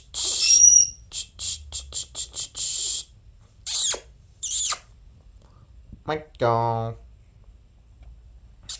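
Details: Pet conures, a pair kept indoors, give a long squawk and a fast series of six short clipped chirps, then scattered harsh calls and a voice-like drawn-out tone.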